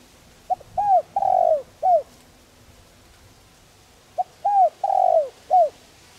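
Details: Spotted dove, known locally as cu đất, calling softly to attract wild doves: two repeated phrases, each a quick stutter, an arched coo, a drawn-out rolling coo and a short falling end note, separated by a few seconds of quiet.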